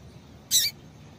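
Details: One brief, high, sharp chirp from a female double-collared seedeater, a call used to rouse males into song. Quiet background hiss around it.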